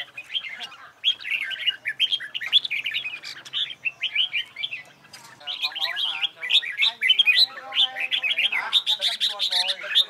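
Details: Red-whiskered bulbuls in contest training song: quick, bright whistled phrases tumbling one after another, a faint low voice-like sound underneath in the second half.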